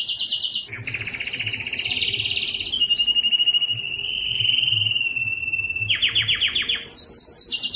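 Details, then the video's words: Powerful Belgian canary song used to draw females for breeding: a high trill drops into a long, steady rolled tour lasting several seconds, then gives way to clipped lower trills and a bright high burst. "O canto mais forte do canário belga que atrai as fêmeas para a reprodução"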